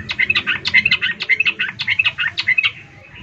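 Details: Rapid, evenly repeated bright chirps come from a female sooty-headed bulbul calling a male. The run is continuous for about three seconds before fading into quiet background.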